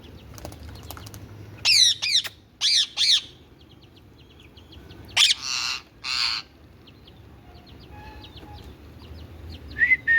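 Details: Indian ringneck parakeet, a talking parrot, letting out harsh, loud screechy bursts in two pairs, separated by quiet stretches with faint ticking and a short whistled note at the end.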